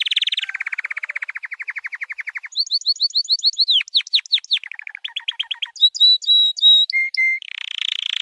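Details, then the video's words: Training song of a white canary: a loud buzzy opening, then a long steady roll of fast repeated notes, followed by descending whistled slurs, a stuttering run, looping high whistles, flat tones and a final buzzy burst. "White Canary 12h Singing - The Best Training Song"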